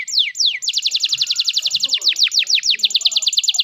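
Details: Canary singing to prompt young canaries learning to sing; falling whistled sweeps open into a rapid, even trill broken by further descending notes, clear and loud.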